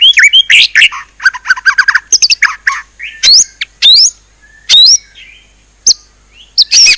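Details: Very loud, varied song of a white-rumped shama; rapid sharp chips, rising whistles and quick mimicked phrases in bursts, with brief pauses between phrases.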